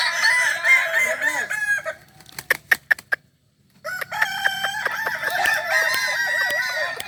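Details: Crowing contest final, Ampang Kualo, Solok city, 8 September 2024: Kokok Balenggek cocks give long, stepped, harmonically rich crows, which break off into a run of sharp knocking clicks and a brief hush before more overlapping crows swell back in.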